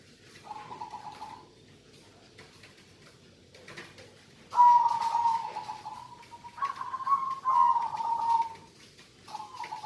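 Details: Local zebra dove singing actively: low, rolling coos held near one pitch, given in separate phrases of one to two seconds with pauses between, the louder middle phrases slightly trilled, recorded indoors with faint background hiss.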